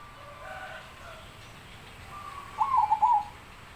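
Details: A zebra dove gives one brief bubbling coo phrase of three or four quick notes near the end, after a quiet stretch of soft background noise.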